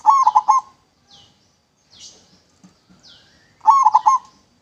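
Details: Local zebra dove, used as a lure, gives a rolling, bubbly coo phrase, then another after about three seconds, while other small birds add high, sliding chirps in between.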